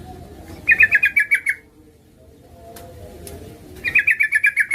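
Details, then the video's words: Female yellow-vented bulbul calling to a male, used as a lure: two bursts of rapid chattering notes near the upper-middle register, each about a second long, separated by a quiet gap with faint low background rumble. "Suara burung trucuk gacor memanggil lawan pancingan trucukan betina memanggil jantan agar bunyi"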